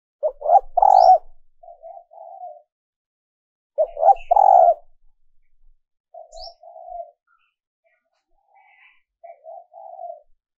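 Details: Female dove luring males with repeated phrases: each opens with two or three quick stuttered notes, swells into a loud low coo, then ends with softer paired coos; the phrase repeats about every four seconds.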